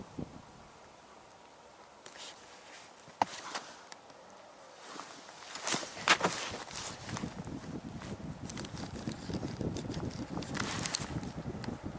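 Footsteps and crackling handling noise outdoors over a low vehicle rumble, with no animal calls.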